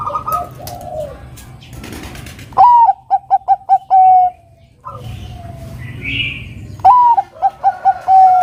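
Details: Bangkok zebra dove singing strongly to provoke a rival. Two phrases a few seconds apart, each a rising first note, a rapid bouncing series of short coos and a drawn-out low coo, over a quiet hum.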